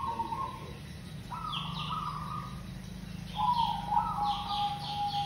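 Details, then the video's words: Zebra dove, local type, recorded as a lure: a short coo, a longer level trilled phrase, then a falling rolling coo, accompanied by bright downward-sweeping chirps of other small birds. "Perkutut lokal GACOR super pemikat AMPUH"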